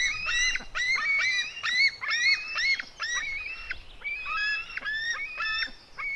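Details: Female white-tailed eagle eaglet fighting with her brother: rapid strings of high, bent, squealing notes, about two per second, clear and insistent against quiet background.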